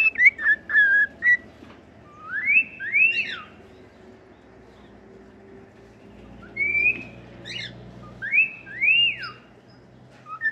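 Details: Cockatiel song of a few quick chirps, then pairs of rising, swooping whistles separated by quiet gaps. Soft low background hum throughout.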